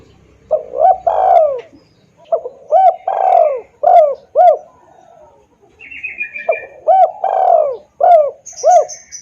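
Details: Spotted dove cooing as a lure for wild birds, loud and clear: repeated phrases of short hoots and long falling coos, with brief high chirps from another bird near the middle and the end.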